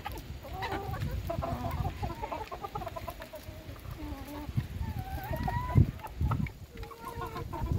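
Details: Domestic hens at feeding time, giving drawn-out, slightly rising calls and scattered clucks from several birds, over heavy low rumble and bumping sounds.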